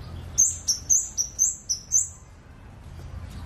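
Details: Scarlet-backed flowerpecker, locally called kemade, singing in a lively, strong style: a quick run of six very high, thin, sharp tweets about one every quarter second, then quiet with faint low hum.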